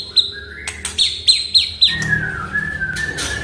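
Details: Oriental magpie-robin (murai batu) song meant to prompt a silent bird to sing: sharp repeated notes with bright high overtones, then a long sustained whistle, over a low steady hum.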